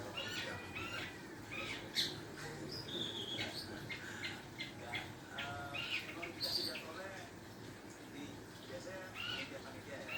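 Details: Long-tailed shrike learning to sing: a steady run of scratchy chirps, short whistles and buzzy notes in varied pitch, packed closely for ten seconds over a low rumbling background.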